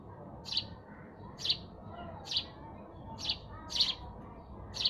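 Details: Sparrow chirping: six short, sharp chirps, roughly one every second, each a bright burst over a quiet, low background murmur.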